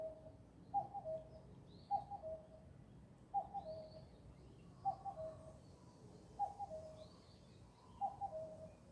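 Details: Wild bird singing a low two-part phrase, a short double note then a held lower tone, repeated about every one and a half seconds, with faint higher chirps in the background.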